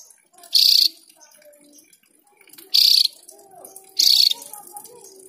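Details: Javan grey-throated white-eye producing three loud, rasping bursts spaced one to two seconds apart, over a quiet backdrop of faint low murmuring.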